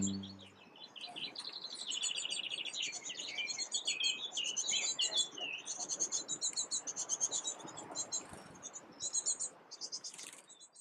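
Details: Great tit calls at an evening nest, young probably close to fledging with one visible: a dense, continuous chatter of high, thin squeaky notes, rapid and overlapping, with a brief low thump at the start.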